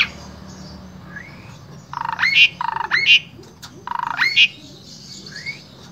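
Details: Asian pied starling singing as a tutor for other starlings, Wonosobo, Central Java, Indonesia: three buzzy rasping phrases ending in sharp squeaky whistles, framed by soft rising slurred notes.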